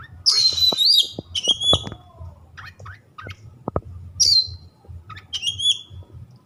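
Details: White-rumped shama, a kept songbird, giving loud slurred whistles and harsh buzzy notes in separate phrases, with several sharp clicks and knocks in the background and a steady low hum.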